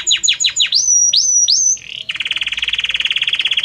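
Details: Belgian canary song with many different notes in a harmonious voice, moving gradually from one note to the next: rapid descending sweeps, then three loud rising whistled slurs, a brief pause, and a steady fast rattling trill.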